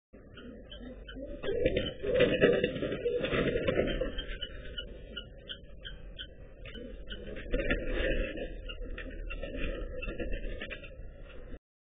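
Muffled, tinny indoor sound like distorted speech or a radio, over a low hum, with no animal voice.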